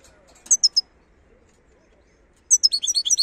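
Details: Wild European goldfinch recorded in Algeria, giving a few sharp high notes, a pause, then a quick run of bright twittering, tinkling phrases at the end.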